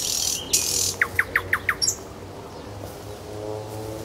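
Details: Nightingale singing in Kuzminki forest park: a short run of five quick, sharp downward-sweeping notes, then quiet with faint background hum.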